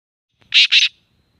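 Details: Black francolin (kala teetar) in Sindh, Pakistan: two harsh, grating, high-pitched bursts in quick succession, each lasting a fraction of a second, set against a quiet background.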